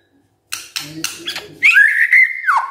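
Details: White-rumped shama morning song meant to prompt quiet birds to sing: a few harsh, scratchy notes followed by a long, clear whistled note that holds steady and then drops.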